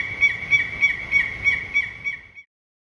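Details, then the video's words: Peruvian thick-knee at Assiniboine Park Zoo, February 2023, giving a series of about eight clear, piping whistled notes, evenly spaced roughly every third of a second, fading slightly before stopping. "What sound does a Peruvian Thick-knee make?"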